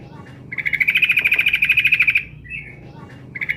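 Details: Female yellow-vented bulbul calling a male. A quick, rising run of bright, buzzy pulses lasts about two seconds, then a brief slurred note and the start of another pulsed burst.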